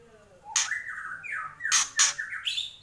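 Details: Brief kretekan snatch from a white-rumped shama: harsh scratchy bursts linked by drawn-out slurred whistles, in a small indoor-sounding space.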